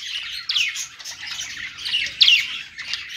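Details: A budgie singing on a perch: scratchy chatter broken by two clear, quick downward-sweeping squeaks, each followed by a buzzy tail.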